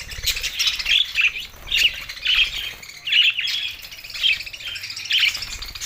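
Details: Budgerigars from Larkana, Sindh, recorded June 7, 2024, give bursts of squeaky, grating chirps roughly every half second to second, between quieter twittering.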